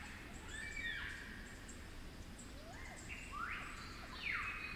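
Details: Flute-accented Superb Lyrebird in the cool, damp forests of New South Wales' New England Tablelands, Werrikimbe Wilderness: sweeping, sliding melodic notes rising and falling in separate phrases, with faint high twitters and background forest hiss.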